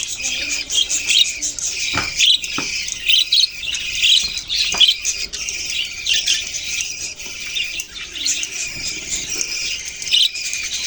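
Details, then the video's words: Budgies recorded on November 6, 2023, twitter and squeak as a flock. Layered high chirps run throughout, broken by a few sharp clicks near the start. "Budgies beautiful colours and chirping sounds"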